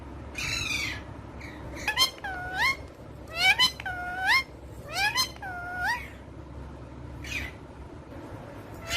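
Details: Female Indian ringneck parakeet talking: short, rich voiced syllables that dip and then swoop upward, given in quick clusters of two or three, separated by pauses and a few scratchy noises.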